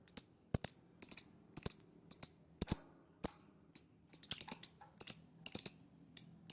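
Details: Captive lovebird lure recording used to get a reluctant bird singing: sharp, very high chirps, single and doubled, with occasional short triple bursts, repeated at uneven intervals of roughly half a second.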